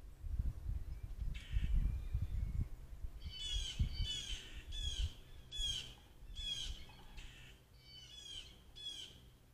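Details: Blue jays calling all around a deck, captured by a trail camera on 16 May 2023, give a run of about eight harsh, nasal jeer calls in quick succession, with low rumbling noise at the start.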